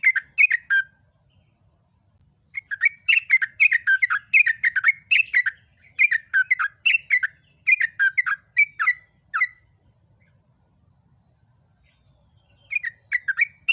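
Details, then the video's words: Yellow-vented bulbul delivering an active, continuous song: long runs of chattering, bubbling, slurred notes, almost unbroken for about seven seconds, with short gaps before and after. A steady thin high whine sounds behind the bird throughout. "BURUNG JOGJOG/ TRUCUK PALING GACOR"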